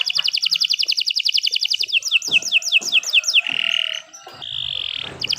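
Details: Canary in full song: a quick high trill gives way to a series of sliding, descending whistles, followed by two drawn-out buzzy tones and a return to trilling.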